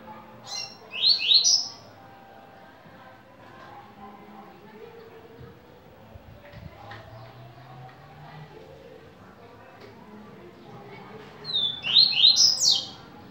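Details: Yellow-bellied seedeater, known as coleiro baiano, in viviti song type: two short bursts of high, sharply slurred whistled notes about ten seconds apart, separated by quiet stretches with low murmuring background sound.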